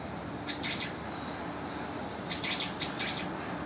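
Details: Sharp, high, slurred squeaks from young brown-eared bulbuls calling against one another between spring and summer: a double note, then after a gap a tight group of three.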